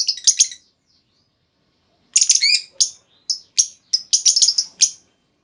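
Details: Female lovebird call to prompt other lovebirds to trill at length; a cluster of shrill chirps, a pause, then a long sequence of sharp high squeaky notes, some rapid, some spaced.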